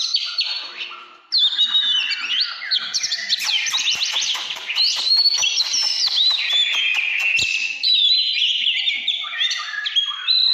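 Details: Oriental magpie-robin, 'căn lửa' style, starting after a short gap with a fast run of clicking, stuttered notes, then longer bright whistles and wavering slides.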